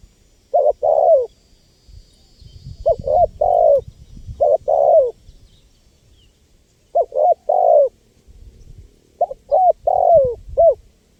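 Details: Spotted dove cooing repeatedly: low, mellow phrases of two to four short notes ending in a drawn-out falling coo, repeated every few seconds.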